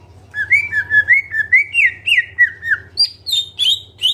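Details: Greater green leafbird (cucak ijo) in full song with fill-in phrases: a rapid series of clear whistled slurred notes, each rising then falling, stepping higher and speeding into shriller notes toward the end, over a low steady hum.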